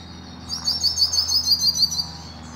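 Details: A hooded siskin in Bauru, São Paulo, Brazil sings a fast, metallic run of bright, high, ringing notes, about eight per second for over a second, over a faint low hum.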